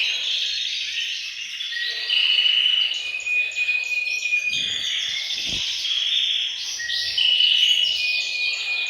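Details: Group singing of canaries in a bird room, intended to get males singing and females ready for breeding. Continuous high rolling trills with repeated held whistled notes, interrupted by a few low thumps.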